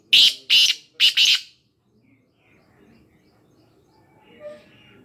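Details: Kala teeter, the black francolin, from Khushab: three quick, loud, scratchy notes, the final one split into a double rasp, delivered within about one and a half seconds, then a quiet background with faint low murmurs.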